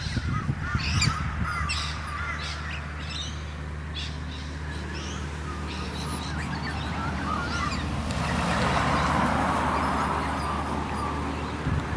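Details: Galahs on a suburban street in Moorooka, Australia, give short, shrill, squeaky screeches in a loose scattered chatter, over a steady low rumble of traffic and a man speaking.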